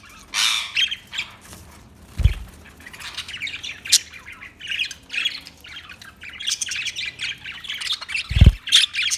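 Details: Budgerigar chirping in a dense, fast, scratchy chatter of high warbles and squeaks that runs almost without pause, with two brief low thumps.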